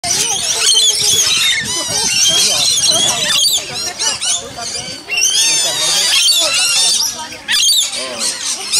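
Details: Rainbow lorikeets (Trichoglossus moluccanus) at Lone Pine Koala Sanctuary outside Brisbane, Australia: a flock fills the air with constant shrill, metallic screeches and chatter, many birds calling over one another, with people talking underneath.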